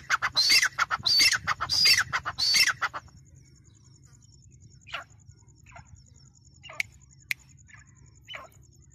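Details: Grey francolin calling loudly in a fast series of harsh notes for about three seconds, followed by quiet background hum with a few faint distant sounds.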